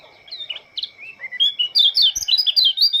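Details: Lombok Oriental white-eye greeting the morning dew with song, soft scattered high notes at first, then a loud, rapid jumble of sweet whistled twitters and slurred chirps packed closely together.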